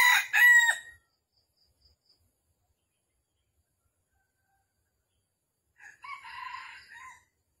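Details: Red junglefowl trapping in Vietnam on the morning of 13 December 2021. A rough, stuttering crow opens the recording, followed by about five seconds of silence and then a second, quieter, raspy crowing phrase.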